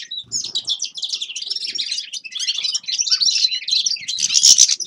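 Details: Grey-crowned goldfinch delivering a continuous, liquid twittering song of high trills and chirps that grows louder and brighter toward the end.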